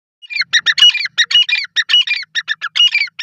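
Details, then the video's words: Dakhni partridge calling: a fast, steady series of harsh, squawky notes, about five per second, some doubled, with a brief whistle-like tone between groups and a quiet background. "dakhni Teetar Ki awaz"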